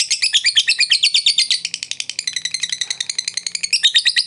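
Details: Lovebird singing to encourage a lazy bird to sing again: rapid high twittering chatter, nearly three notes a second, dense and unbroken, shifting slightly in tone.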